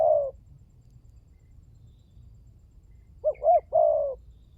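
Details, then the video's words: Spotted dove (tekukur) lure recording to get birds calling: a coo fades out at the start, then silence, then one phrase of a short stuttered double note and a long low coo. "Pancingan burung tekukur berkhasiat !!! Di jamin tidak bisu"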